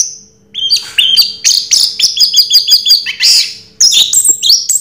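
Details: Orange-headed thrush singing in the Raja Teler style: a lively run of high chirps and short whistled notes, rising and falling, delivered in rapid, varied bursts with no other sounds.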